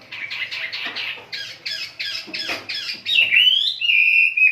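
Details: Kapas lovebird in tembak-style song, giving rapid squeaky chirps about four per second, then a sustained high whistled trill that wavers and holds steady near the end.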